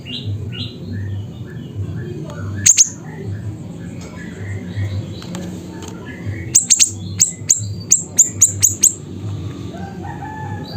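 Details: Siri-siri bird near Busu Reului, Mutiara, Pidie, Aceh, singing loudly: a pair of sharp high notes, then after a pause a run of about ten clipped, piercing notes. Other birds give faint whistles, and a low hum runs underneath.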